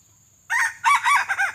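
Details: Red junglefowl decoy, a pale white-legged bird used to attract wild junglefowl for trapping, crows once. A harsh first note is followed by three rising-and-falling arched phrases, loud and clear against near silence.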